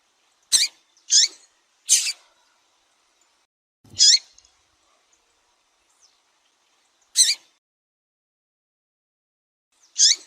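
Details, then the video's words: Female double-collared seedeater calling to stimulate a male: short, sharp, high chirps, three in quick succession, then single notes spaced a few seconds apart, with silence between them. "FÊMEA DE COLEIRO CHAMANDO MUITO QUENTE FOGOSA E PIANDO"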